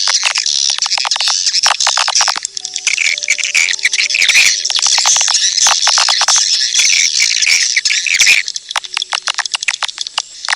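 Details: Edible-nest swiftlet calls played to lure swiftlets: a dense, continuous twittering of sharp high chirps and clicks, with short gaps near the eighth second and a faint low steady hum beneath.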